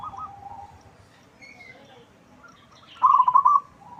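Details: Loud local zebra dove used to lure other birds into answering. Quiet, faint cooing at first, then a single strong burst of rapid rolling coo notes near the end.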